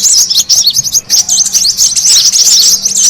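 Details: Noisy brown-throated sunbird calling used as a bird lure: quick, high, looping squeaky notes and chips, tumbling over one another with small gaps in between.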